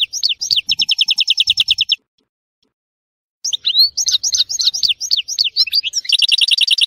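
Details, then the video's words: European goldfinch from Tissemsilt, Algeria, singing: rapid trills of bright, buzzy twittering notes repeated several times per second, a two-second pause, then a varied run of liquid chirps and slurred whistles ending in a fast trill. "تغريد حسون تيسمسيلت"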